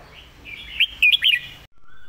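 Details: Short phrase of Red-whiskered bulbul master song, meant for teaching birds. Quick, bubbling whistles rise and fall over a steady warbling background, then cut off abruptly.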